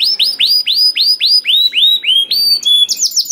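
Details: Canary song used as a lure to get silent canaries singing: a rhythmic run of high upward-curving notes repeated about three times a second, ending in a quicker change of phrase.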